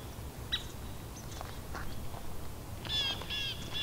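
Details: Scissor-tailed Flycatcher, an uncommon visitor to New Jersey, at Edwin B. Forsythe National Wildlife Refuge in November 2015: a thin high whistle early on, scattered short sharp notes, then a cluster of harsh, stacked high calls near the end over low rumble.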